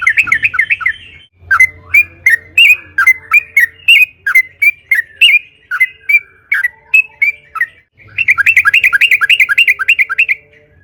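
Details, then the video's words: Yellow-vented bulbul in full, rapid lure song: a quick chattering burst, then a long series of loud bubbly whistled phrases, and another fast chattering run toward the end. "burung trucukan gacor FULL NARUNG buat PANCINGAN TRUCUKAN AGAR BUNYI"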